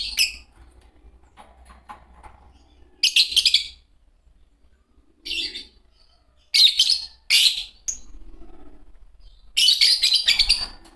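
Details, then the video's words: Green Fischer's lovebirds, a pair, calling in four separate clusters of piercing high chirps, with near-silence between the bursts. "Lovebird singing & chirping sounds"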